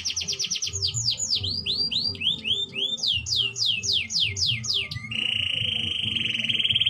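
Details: Fast canary trill leading into big downward-sweeping whistled notes, then a level, rapid low trill, all over a low rumbling background sound.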